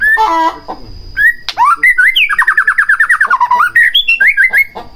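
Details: White-rumped shama song played as a lure to provoke lazy or silent shamas into singing: loud whistled phrases, then a fast run of rhythmic notes sliding downward, ending in bright rising and falling whistles.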